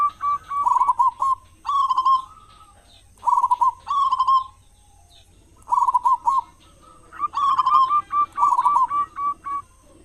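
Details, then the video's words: Local zebra dove with a big voice, kept as a lure so other doves start singing in morning and evening; paired phrases of soft rolling coos repeated every second or two, with gaps between. "perkutut lokal gacor suara besar buat pancingan diPAGI dan sore"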